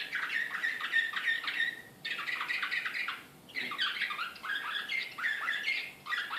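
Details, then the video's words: Excited Srpski slavujar canary recorded in Belgrade in 2014, singing several bursts of rapid chirps and rolling trills separated by short pauses. "CANARY SINGING SRPSKI SLAVUJAR BEOGRAD 2014 DEXX. كناري هائج"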